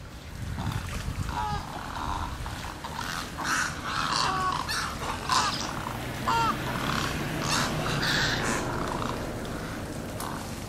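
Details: Egrets feeding at breakfast time at a watering hole in J.N. "Ding" Darling National Wildlife Refuge, with hoarse, croaking calls repeated irregularly over steady, broad rushing noise.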